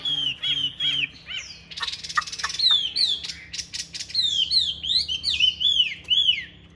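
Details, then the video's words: Hwamei in a cage performing a fighting display with a fine, strong voice: repeated whistles, a brief noisy burst, then a rich, rapid medley of slurred, looping whistled phrases. "Bộ to đấu xòe hót rất tốt, giộng rất hay"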